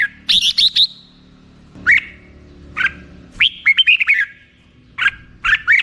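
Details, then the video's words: Black-crested bulbul song: spaced short chirpy phrases separated by pauses of about a second, including a rapid trill-like cluster, clear against a quiet background. "suara burung merbah jambul"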